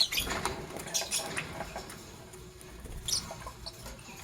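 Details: Green Fischer's and pastel blue lovebirds chirping in the morning: short, scratchy high chirps in quick bursts, mostly in the first second and again near three seconds, over a steady rustling background.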